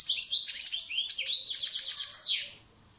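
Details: Continuous European goldfinch song: quick, high tinkling twitters and buzzy notes strung together for about two and a half seconds, ending in a falling sweep, then silence.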